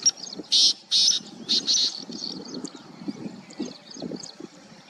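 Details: Plain Prinia calling at Chandlai lake, Shivdaspura, Rajasthan, on 22 July 2020, with Black Francolin and Rain Quail also calling: a few loud, high, buzzy bursts early on, then softer low pulsed notes repeating irregularly.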